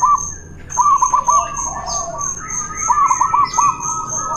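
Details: Local and white zebra doves in a song duel used as a prompt for doves that will not sing: softer overlapping coo phrases over a steady high electronic tone.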